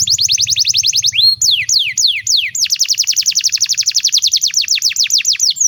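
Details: Singing canary, a master song meant to teach young birds: fast series of bright downward-swooping notes, a rising note midway, then a long, rapid rolling trill.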